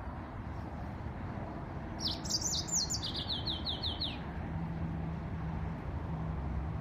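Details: Yellow-fronted canary giving a two-second burst of song: a quick series of high, slurred notes stepping gradually downward, each a sharp descending sweep. Steady low hum fills the quiet before and after.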